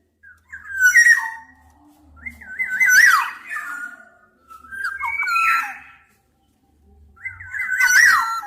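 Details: Black-naped oriole repeating mellow, yodelling whistles with rapid up-and-down wobbles, ending in scratchy rasps. Four phrases about two seconds apart, over a faint low rumble.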